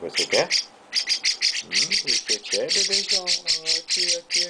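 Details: Baby chestnut-cheeked starling being petted by its owner, giving a near-continuous stream of rapid, harsh, hissy squawks, several per second, with a human voice talking over them throughout.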